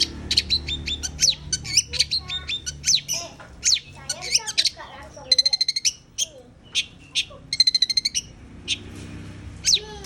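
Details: Long-tailed shrike in lively song: rapid high chirps and whistled slurs, two bursts of fast even ticking notes, and a brief lower warbled passage, with a soft hum in the background.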